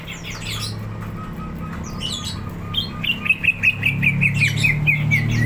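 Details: Greater green leafbird in lively song, ready to fight: high scratchy chatter, then a steady series of short chirped notes repeated more than twice a second, over low rumbling noise.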